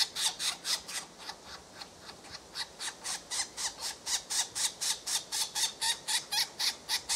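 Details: A European green woodpecker chick begs to be fed by its parent with harsh, rasping squawks, about four per second in a steady run, with nothing else heard.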